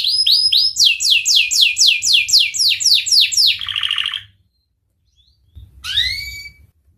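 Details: Canary singing the 'cengkok mewah' style for training young birds: rapid high trill of downward sweeps, a short buzzy rattle, a second of silence, then one loud falling note.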